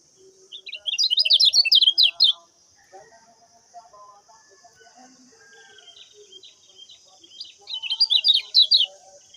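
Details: Master song of a common iora used to train cage birds: a quick burst of sharp, rapid chirps, a pause filled with soft lower twitters, then a second shorter chirping run over a constant high hiss.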